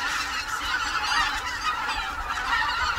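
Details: Greater white-fronted geese wintering on the Cheorwon plain, a wintering ground for migratory birds in the central Korean Peninsula: a dense flock chorus of overlapping nasal, yelping honks, continuous and unbroken, with no pauses.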